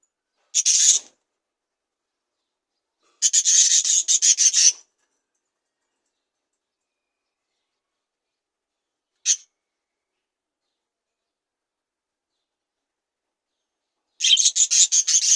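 A budgerigar gives short bursts of harsh, raspy, rapidly pulsed chatter separated by silences.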